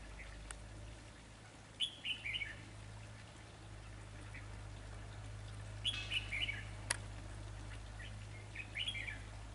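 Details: Red-whiskered bulbul in a decoy trapping session, giving sparse short bursts of quick, slurred chirps, with a few sharp clicks and a low hum behind.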